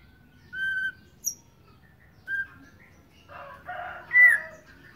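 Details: Young white-rumped shama from Sabang, just learning to sing: a few isolated clear whistled notes, then a scratchy, warbling jumble ending in a loud, bright, slightly rising then falling whistle.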